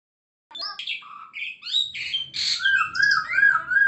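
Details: Masked laughingthrush (Poksay Hongkong) singing vigorously with a full varied repertoire: a quick jumble of chirps, short whistles and buzzy notes. It ends in a wavering whistled phrase repeated several times, with a low background rumble.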